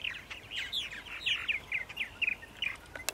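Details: Gurgling, rapid purple martin chatter in Center Moriches, Long Island, New York, at 8:30 AM on April 14, 2012. Croaky slurred notes follow one another almost without pause.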